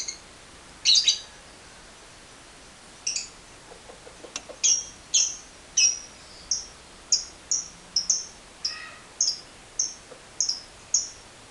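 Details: Lovebird calling in a lure recording for 'ngekek panjang' chattering: a loose series of short, sharp, high chirps and squeaks, some doubled, coming roughly every half second after a couple of harsher opening calls.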